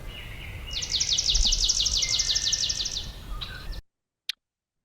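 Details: Swamp Sparrow song: a slow, uniform, lazy trill of about fifteen identical high notes, all on one pitch and one speed without speeding up or slowing down, over faint background hiss.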